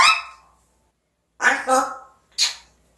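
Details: African grey parrot talking indoors: a bright, fading syllable, then a two-part raspy word and a short, sharp high final note, separated by silence.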